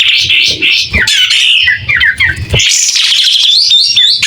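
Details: White-rumped shama singing busily with a clear voice as it opens its tail. A fast run of varied whistles and chattering, squeaky notes flows almost without a break, with light low thumps.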